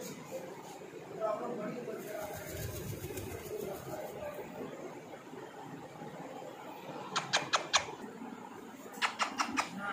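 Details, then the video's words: A grey parrot (African grey) talks in a run of murmured, speech-like phrases, then gives two quick bursts of sharp clicks near the end, over low room noise. "African grey talking parrot"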